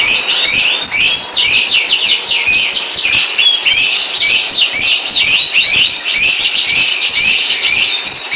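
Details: Canary delivering a busy, scratchy high-pitched warble of rapid jumbled notes with occasional thin whistles, continuous throughout.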